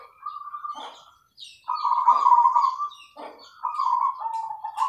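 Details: Local zebra dove song used as a lure to get other doves singing: steady rolling coo phrases at a low, even pitch, with brief higher chirps from other small birds between the phrases.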